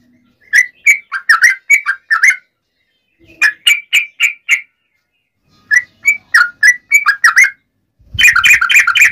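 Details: Provoking fighting song of a yellow-vented bulbul, nggaruda ropel style. Three phrases of quick bubbly whistled notes separated by pauses, ending in a harsher, noisier burst of rapid notes.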